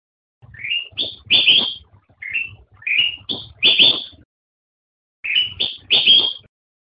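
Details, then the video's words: Kutilang emas, the black-crested bulbul, delivers three cheerful phrases of rising whistles ending in loud, full high notes, with a longer silence before the last phrase; quiet low rumble in the background. "Suara Burung Kutilang Emas"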